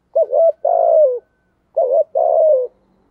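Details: Spotted dove singing in the 'giọng thổ' style: two clean phrases, each a short wavering coo followed by a longer, drawn-out coo that falls at the end, separated by a half-second pause.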